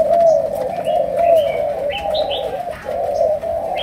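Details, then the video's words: Sấm đồng, chiêu gù song of a Malaysian spotted dove. Rolling low coos repeat nearly once a second in an almost unbroken sequence, while other birds give short rising chirps above. "Cu Gáy Malaysia, Chiêu Gù. Sấm Đồng"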